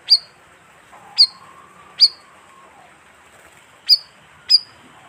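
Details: Lure call of a bayeman for trapping wild birds: five piercing high chirps spaced about a second apart, each dropping steeply into a brief clear whistle, with a faint low whistled tone drifting underneath.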